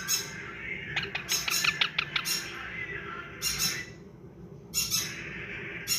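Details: Yellow ringneck (rose-ringed parakeet) chicks give harsh, raspy squawks in quick bursts, a flurry of short notes early on and longer scratchy cries later, over a low indoor hum.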